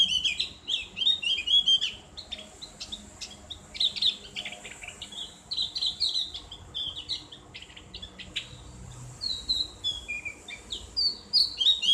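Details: Javan grey-throated white-eye delivering ngriwik song, used as therapy audio for kept birds: dense, rapid high twittering and quick chirp bursts running almost nonstop throughout.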